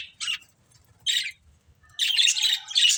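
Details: Budgerigars from a family of budgies give three harsh, buzzy chirp bursts. Two are short and separated by about a second of quiet, then a longer scratchy run of chatter ends the passage.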